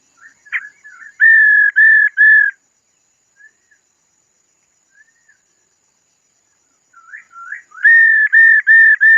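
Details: Female laughingthrush giving its calls to spur a male to sing: two bursts of four steady, flat whistled notes, each about a third of a second, with short slurred notes before them and quiet gaps between the bursts.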